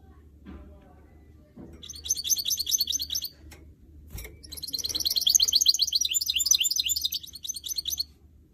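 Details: A caged canary x goldfinch mule sings long, fast high trills, a two-second phrase, then a sustained burst of several seconds after a sharp click.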